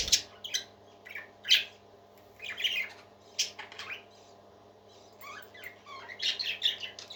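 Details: Happy parakeets, more than one, sing with loud sharp chirps and rasping squawks in bursts separated by quieter pauses, busiest near the end.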